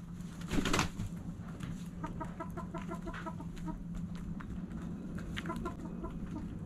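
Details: Backyard hens at sunrise cluck steadily. Rows of short, evenly spaced harmonic clucks run for several seconds after an early burst of noise, with a low background hum throughout.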